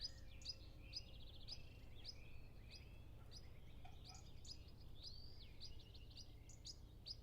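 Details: European pied flycatcher at its nest with two young, giving varied high chirps, short trills and whistled notes in a busy, rapid sequence, with other birds calling at a distance and soft low background noise; Zoom F6 with Sennheiser MKH 8040.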